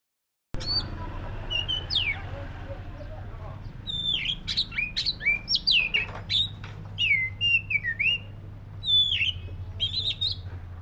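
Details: Black-breasted oriental magpie-robin singing: after a silent start, a run of loud whistled phrases with sharp downslurred notes and clicks, growing busier toward the end, over a steady low hum.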